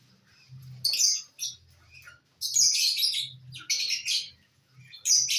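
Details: Lovebirds feeding on corn, 18 December 2022; intermittent bursts of shrill scratchy chirping over a steady low hum, with quiet spells between the bird calls.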